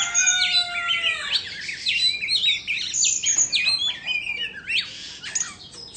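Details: Indonesian white-rumped shama in song while performing a tail-fanning dance; opens with long pure whistles, then breaks into a fast, jumbled series of sharp chirps and twisting high notes.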